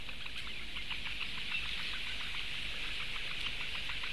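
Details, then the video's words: Food-begging Eurasian bittern chicks, four of them, 16 May 2017: regular soft ticking pulses, several per second, beneath a loud continuous hissing chatter, plus faint low rumble. "četri mazie pudeļbiršti - barības diedelēšana"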